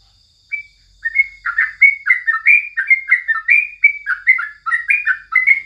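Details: Morning song of a yellow-vented bulbul, locally crucukan, for tutoring birds: after one opening note, a continuous chain of quick warbled, slurred notes, about two each second. A faint constant high hum runs throughout.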